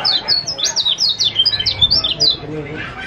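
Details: Lombok white-eye (kecial kuning) singing to lure a silent bird into song: a fast, energetic string of high, thin, down-slurred chirps, tightly packed and repeated without pause, with faint low background noise.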